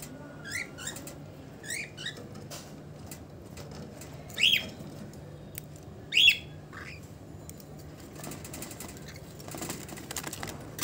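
A cockatiel gives short, sharp chirping calls, a few loud ones standing out among softer chirps.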